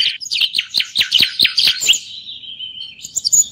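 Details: Moroccan bulbul singing a quick string of sharp, high chirps, then a thin sustained whistle-like note and a few final faint notes.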